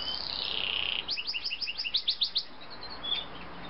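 A Yorkshire canary sings a bright, high phrase: a long buzzy opening trill, then a rapid series of about a dozen sharp rising chirps.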